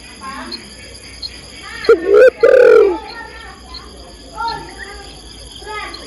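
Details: Female spotted dove calling the male: a brief pair of loud coos, short then longer, set amid soft chirps of other birds and low background noise.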